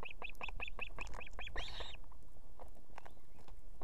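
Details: Female osprey at an evening nest in Estonia with two chicks, calling the male to bring food: a rapid series of about eight sharp, whistled chirps, then a longer harsher note and a few fainter chirps over low background rumble.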